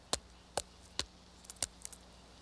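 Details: A Pileated Woodpecker foraging for carpenter ants, its favourite food, hammers wood in slow, sharp rhythmic whacks about every half second, with a few softer taps between, over a faint steady low hum.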